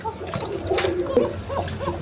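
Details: Farm pigeons with eggs and chicks, low cooing mixed with short higher chirps repeated several times, plus a brief knock.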